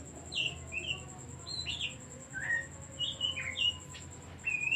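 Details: Singing Oriental magpie-robin used to provoke other birds to sing: rapid string of bright whistled notes, mostly short downslurs and upslurs with brief gaps, backed by a constant thin high tone and low background hum.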